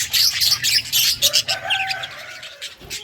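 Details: Yellow budgerigars, Australian parrots, chirping, August 6, 2024: fast bursts of scratchy warbled chatter about three or four per second, then softer whistled notes and a low tone at the end.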